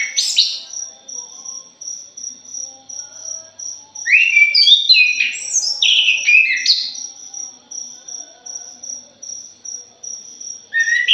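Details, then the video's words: Punglor jali thrush song used as a lure: a rapid run of chattering, up-and-down whistled notes in the middle, brief phrases at both ends, over a continuous rhythmic insect trill. "PANCINGAN PUNGLOR JALI"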